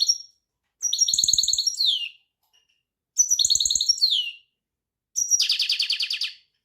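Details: Repeated goldfinch song phrases: two similar bursts of rapid high twittering notes, each ending in a downward slur, then a coarse buzzy trill. Faint low ticking noises sound under the song.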